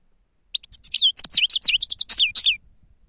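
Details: Grey-crowned goldfinch singing for use as a lure, song labelled 'sava': two seconds of loud, rapid, liquid twittering with high whistled slurs and buzzy trills tumbling in quick succession.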